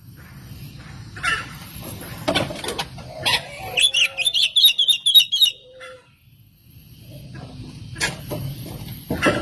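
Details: Oriental magpie-robin song played as a lure for other magpie-robins; rapid, chattering whistled phrases for about a second and a half, set among rustling, knocking and low rumbling background noise.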